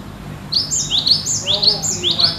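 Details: Cinereous tit song in the nagen style: after silence, ringing rising whistles alternate between two pitch levels in a steady rhythm, with a low hum in the background.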